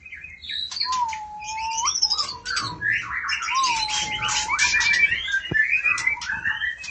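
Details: Oriental magpie-robin, a female calling the male, with long low whistles that dip and rise, mixed with harsh squawks and busy high chattering notes throughout.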